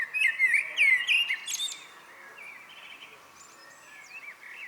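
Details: A common blackbird sings at dusk, a warbled fluty phrase mixed with sharp high twitters in the first two seconds, then fainter distant chirping notes fill the rest.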